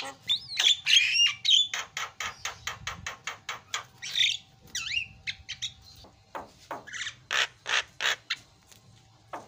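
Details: Energetic Javan myna song aimed at stirring a quiet myna into singing: looping whistles, a long series of short clipped clicks and squawks, a dipping whistled note, then more spaced rasping calls.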